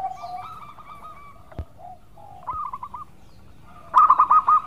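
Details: Local zebra dove, kept as a songbird, giving a melodious lure song: a low steady coo, then short bursts of quick, bubbling rolled coos. A louder rapid rolling series comes near the end, with a faint tap midway.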